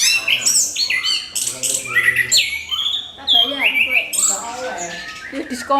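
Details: Crystal-clear lure song from an orange-headed thrush, used to get other birds singing: loud, fast, varied phrases of sweeping whistles and sharp high chirps, delivered in close bursts with short gaps between them.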